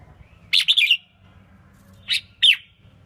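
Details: Red-whiskered bulbul female, caged, singing to excite males: a lively four-note warbled phrase, then after a second's pause two separate loud sharp chirps, with a faint low hum behind.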